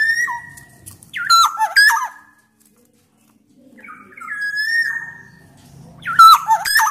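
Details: Loud, vigorously singing black-naped oriole from Sumbawa, played to coax lazy orioles into song: long level whistles broken by quick looping fluty phrases, a quiet pause, then another drawn-out whistle and rapid warbled notes.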